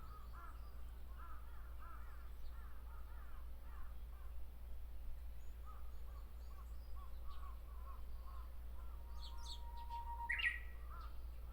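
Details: Repeated cawing fills the first seven seconds before a Japanese bush warbler, singing from a tree in Miyakonojo, Miyazaki Prefecture, gives a drawn-out low whistle followed by a sudden bright, rising flourish.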